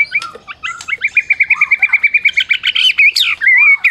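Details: Medan white-rumped shama, a prize-winning caged bird, in a rapid trill of short repeated whistled notes, about a dozen evenly spaced, ending in a wavering sustained whistle; meant to provoke other shamas into singing.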